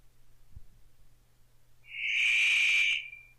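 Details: An immature male Paradise riflebird practising his mating display in northern New South Wales lowland rainforest gives one loud, harsh, rasping note about a second long, after a quiet stretch with a soft knock and low hum.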